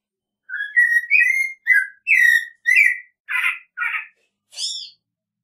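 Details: American robin song of rich, harmonic whistled phrases rising and falling, followed by a couple of harsher, broader notes and a final high squeaky note, all against silence.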